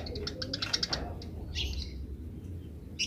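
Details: Wild Eurasian tree sparrow in 'grece' chatter: a quick burst of sharp, evenly spaced chirps for about a second, followed by a few softer isolated notes against steady low hum.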